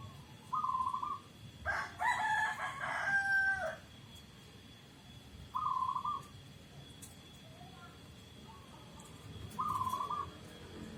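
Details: Local zebra dove repeating brief rolling trilled coos about every four to five seconds, three phrases in all, with a louder harsh, broadband sound between the first two.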